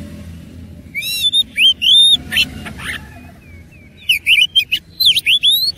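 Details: Oriental magpie-robin in a fighting state delivering loud, clear whistles that rise and fall, sharp staccato notes and brief harsh bursts, in two quick phrases separated by a short quieter gap.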